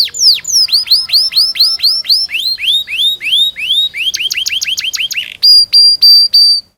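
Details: Canary song used to train young canaries to sing: a long, loud, high run of repeated downslurred whistled notes, then a fast rolling trill, then four sharp high notes, about three notes per second.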